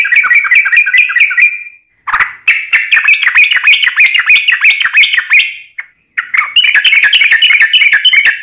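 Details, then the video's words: Yellow-vented bulbul delivering long 'ropel' rolling song, chatty and combative: dense runs of bubbly, slurred whistles broken by two brief gaps, one with a sharp downward note. "trucukan gacor ROPEL PANJANG buat Pancingan trucukan agar bunyi"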